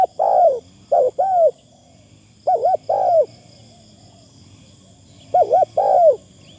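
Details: Spotted dove used for decoy luring, with a good, lightly phrased voice: three bursts of low doubled coos, each note bending down, separated by short pauses over quiet hum.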